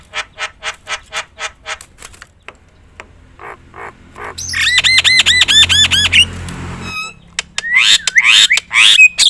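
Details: Javan myna (jalak kebo) in full varied song, loud enough to provoke other mynas: evenly spaced harsh notes, then a rapid run of looping whistled arches, followed by dense scratchy chatter.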